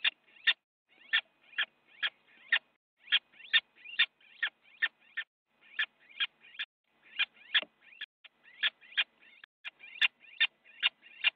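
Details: Two little owls fighting in a nest box in the Netherlands, January 8 2017 at 8:42, one biting the other: a long run of harsh, rasping shrieks repeated in quick uneven bursts, some with deeper grating edges.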